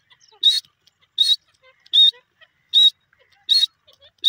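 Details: Grey francolin, locally called bhora teetar, giving short, shrill whistled notes repeated roughly every three-quarters of a second. The six evenly spaced, high, piercing calls stand against near-silence, with faint soft clicks between them.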